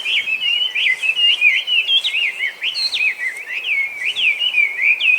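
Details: Feral Chinese hwamei, an introduced invasive bird in Japan that copies other species' calls, singing a continuous stream of bright, looping whistles and quick upward and downward slides with no breaks.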